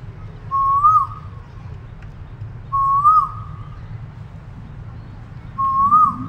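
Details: Three rising whistled calls of an Asian koel, each swooping up and falling away at the end, spaced roughly two and a half seconds apart, with constant low-pitched background hum.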